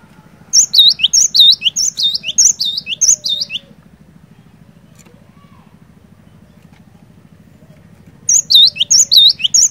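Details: Cinereous tit in full song, used to get reluctant birds singing: a burst of rapid high whistled, dipping phrases for about three seconds, a pause of several seconds with only a low hum, then the phrases resume.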